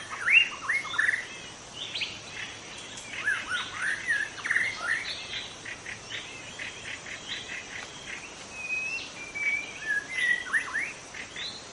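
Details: Long varied song from a wild white-rumped shama in forest. Rich slurred whistles and rapid twittering phrases run almost continuously, with a few sustained pure whistled notes near the end and a faint low hum.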